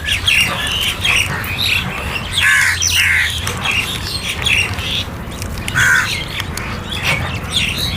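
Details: Crow sounds while being fed, with loud raspy squawks and caws in quick irregular bursts about once a second, other birds chattering around it, steady outdoor rumble beneath.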